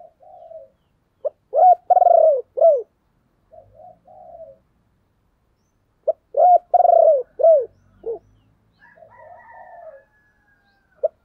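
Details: Decoy spotted dove giving its luring call for wild birds: two full cooing phrases about five seconds apart, each a sharp opening note, a throbbing loud coo and a dropping close, with soft murmurs between.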